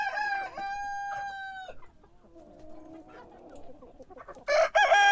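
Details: Rooster crowing in the morning, a long level crow ending abruptly, a pause with faint lower calls, then the start of another loud crow.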